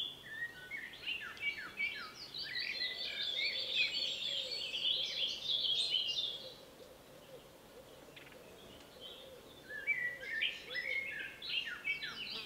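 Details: Male Common chaffinch recorded in Poland gives a bright, rattling song: two busy bursts of quick, high, slightly descending notes separated by a short pause, over a faint low background hum.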